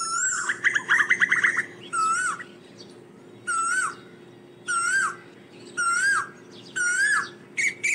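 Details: Asian koel calling the flock: an opening burst of quick bubbling notes, then loud slurred two-part whistled calls repeated about every second, with a steady low hum throughout.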